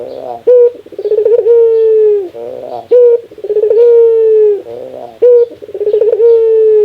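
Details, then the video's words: Barbary dove producing its rare laughing call: bursts of quick stammering notes run into long, slightly falling coos, punctuated by short sharp notes, repeating about every two and a half seconds without other noise. "Suara ketawa burung puter"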